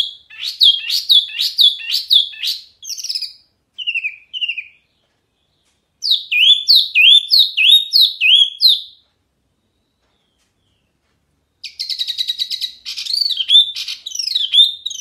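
A wambi sings bursts of rapid, high chattering notes that sweep up and down, separated by short pauses.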